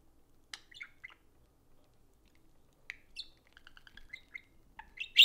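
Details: Two pet budgerigars socializing indoors over a phone: scattered short chirps and buzzy warbled notes, a quick run of repeated ticking pips near the end, then a loud harsh squawk.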